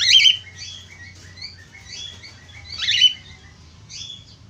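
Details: Budgerigar warbling used to encourage other budgerigars to sing, a continuous jumble of scratchy chatter and short whistles with two louder harsh bursts, faint low hum underneath.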